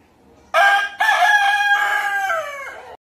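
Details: Rooster crowing at close range, a loud harsh call opening with a short note, then a long sustained buzzy note that holds level and drops at the end, over faint background hiss.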